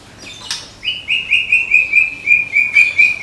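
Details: White-rumped shama from Medan, a caged contest bird, firing a tembakan run: a rapid string of identical high whistled notes, about a dozen in quick, even succession, after a brief sharp opening note.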